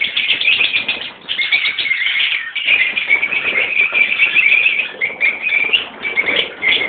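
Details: Lovebirds of two kinds, rosy-faced and Fischer's, call together in a colony of parents and young. Unbroken shrill chatter briefly dips near one second, then swells again.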